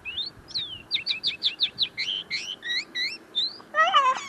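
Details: A tame common linnet, still refining its notes, sings close by: a rapid, chattering twitter of quick rising and falling chirps, nearly a dozen in a row, before a person starts talking at the end.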